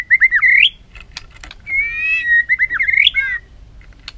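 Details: Caged white-rumped shama singing in a fighting, voice-training style; loud clear whistled phrases with quick looping rising notes and a sustained level whistle, broken by sharp clicks and brief pauses.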